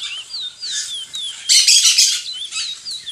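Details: Curió, or lesser seed finch, of Brazil giving sliding whistled notes that rise and fall, while a loud burst of harsh, broad chattering partly covers the song midway.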